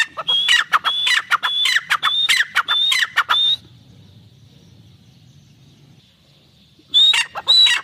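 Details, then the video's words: Pair of Irani teetar, a francolin, delivering a fast run of loud, raspy notes with high whistled upslurs, then a few seconds of quiet hum before another burst of calls. "Teetar ki awaaz | irani teetar paire ki awaz"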